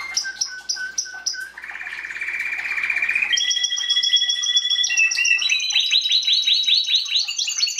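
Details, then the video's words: Belgian canary singing in 2016 in 'bagassando' style for tutoring chicks; a varied sequence of short clipped notes, then a buzzy rolling trill, then steady whistled tones, ending in quick descending sweeps. "Canario belga cantando (MELHOR CANTO) para encartar filhotes"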